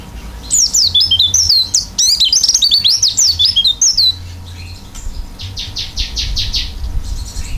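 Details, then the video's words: An oriental white-eye (pleci) in energetic open-beaked 'isian' singing. A fast, jumbled cascade of high, looping whistled notes runs for four seconds, then a short series of buzzy chirps follows, with a faint low hum underneath. "pleci gacor isian buka paruh"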